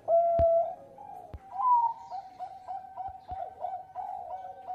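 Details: Bangkok zebra dove in vigorous song meant to prompt other birds to sing, loud with melodious phrasing; a clear opening coo, then a rising note and a rapid series of wavering coos, with several sharp clicks.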